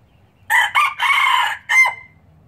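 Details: Crowing red junglefowl, a pure Laos breeder recorded in 2016. The call is four loud, rasping segments: two short notes, a long drawn-out harsh phrase, then a brief last note ending in a high, thin whistled tail. Background is quiet.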